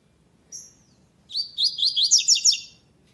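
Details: Double-collared seedeater, web singing tournament second stage, classic song without the third note: a single high whistled note, a pause, then a rapid run of about nine sharp, descending-slurred high notes over roughly a second and a half.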